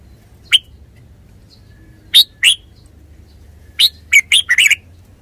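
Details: Red-whiskered bulbul song of bright, slightly buzzy chirps, at first spaced singly, then tumbling into a fast cluster of five warbled notes at the end; faint low background hum.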